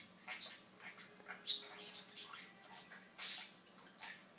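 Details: Budgerigar kept as a pet chattering imitated words, thin and hissy, with short clicks and squeaks spread across the phrase.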